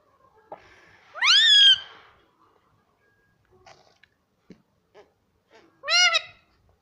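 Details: Talking pet parrot giving two loud, harmonic, upward-sweeping utterances about five seconds apart, with faint clicks and soft taps in the quiet indoor gap between them.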